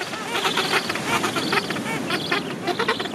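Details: Gentoo penguins in a crowded breeding rookery of thousands of birds at the end of summer, a dense overlapping chorus of harsh, harmonic braying calls pulsing continuously throughout.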